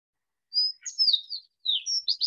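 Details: Sooty Fox Sparrow song, the reddish-brown form found around Chico, played for comparison with the thick-billed fox sparrow: a high clear whistle, then slurred, burry notes, a short pause, and more bright whistled and rolling notes. No other sounds.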